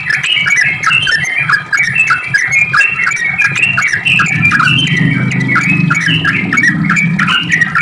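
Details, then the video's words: Long sooty-headed bulbul song used as a lure so other bulbuls reply; continuous bubbling, chattering notes in quick overlapping phrases, over a constant low rumbling hum. "Trucuk gacor ROPEL panjang buat pancingan trucuk agar bunyi JADIKAN burung trucuk gacor NYAUT"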